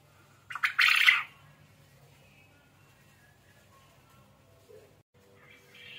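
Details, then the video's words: Quail (burung puyuh, manuk gemek) in lively voice, giving one loud rasping squawk burst early on, followed by near silence with a low steady hum and a few faint chirps. "Burung Puyuh ( Manuk Gemek ) Gacor"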